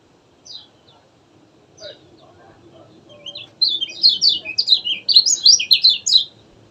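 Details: Kecial kuning singing: a few thin, high descending notes spaced over three seconds, then a loud, rapid chattering warble of jumbled high chirps and trills to the end, over a faint low hum.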